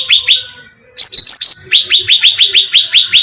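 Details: Cucak ranting bulbul bait sound used to attract birds: two sharp chirps, a pause, then a burst of high squeaky notes followed by a steady run of rapid, downward-slurred chips, about four per second.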